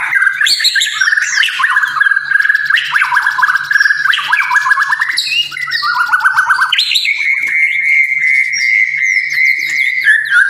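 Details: Loud white-rumped shama lure song for provoking singing and fill-ins: continuous rich warbling of fluty whistles and slurs, fast buzzy trills mixed in, ending in a long sustained whistled tone.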